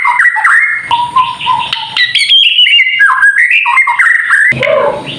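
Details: White-rumped shama kretekan song used to rouse other shamas: rich, rapidly changing whistled notes with sharp upward and downward slides, short clipped phrases run together almost without pause, and a brief lower warble near the end.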